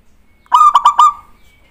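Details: Zebra dove singing to draw a response: one mellow phrase opening with a soft note, then four rapid pulsed coos strung on a steady tone.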